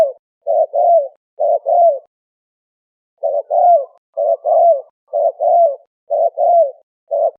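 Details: Turtle dove, called Malay dove locally, cooing in low, mellow, slightly rolling notes grouped in twos and threes, each group about a second long, with a pause near the middle; clean background with no other sounds.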